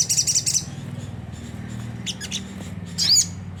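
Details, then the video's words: Sunda whistling thrush in the rough chattering ngriwik kasar style, played as a lure to set caged birds singing: a dense high scratchy burst for half a second, then faint ticks and one sharp bent note, over a steady low hum. "pancingan jernih suara sogon ngriwik kasar nembak gacor"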